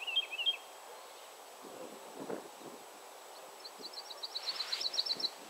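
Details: A Woodlark in Poland opens with a couple of sweet, high notes, then a quickening run of clear, liquid repeated notes, with soft rustles and low background noise between.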